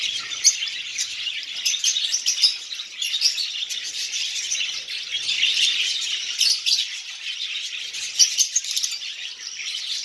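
A colony of lovebirds chatters nonstop with shrill, overlapping chirps and squeaks.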